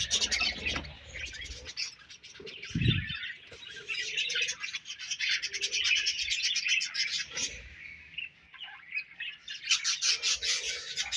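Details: A group of budgerigars sharing food keeps up a continuous high, raspy warble and chirping chatter, interrupted by a loud low rubbing thump and soft scraping sounds.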